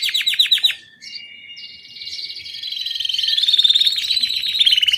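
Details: Singing domestic Belgian canary: a quick series of chirps, a brief quiet gap, then a long steady trill that grows louder and rolls on continuously.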